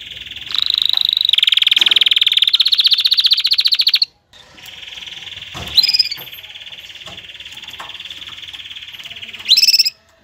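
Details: Singing canary, song used to stimulate mating and to teach young birds: a bright rapid trill that rises slightly, a short pause, then a long steady rolling trill broken by sharp upward notes.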